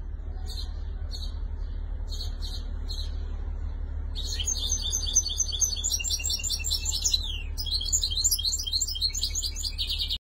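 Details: Tunisian European goldfinch, shantour, 2020: a few spaced high chirps at first, then from about four seconds a dense burst of fast, jangling twitters and trills that continues to the end, over a low hum.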